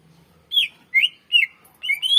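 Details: Greater green leafbird song for luring and training birds: four or five loud, slurred whistled phrases, each rising then falling, spaced about every half second.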